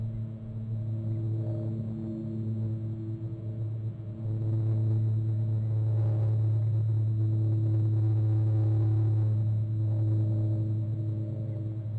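Steady low humming drone with layered harmonics and a faint gong-like swell, with no animal sounds.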